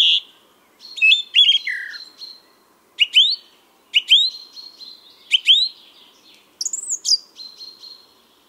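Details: Male song thrush in spring song, Moscow forest park, 23 April 2022, chaffinch audible behind: a series of clear upslurred whistles repeated about once a second, after a buzzy opening phrase, ending with a higher warbled note.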